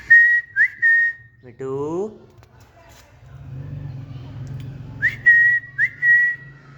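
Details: Pet green parrot on a new table and stand giving clear whistles, each starting with a quick upward flick and held steady, in pairs at start and end, with a brief voice-like sound and low hum between.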